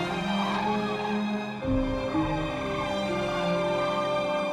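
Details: Slow, sad instrumental music with sustained tones and shifting chords, and no animal calls.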